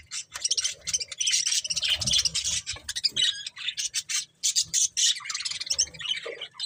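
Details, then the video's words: Several budgerigars squawking and warbling together in a busy, harsh chatter with short whistled squeaks mixed in, nearly unbroken throughout. "Beautiful Budgies Chirping Sounds"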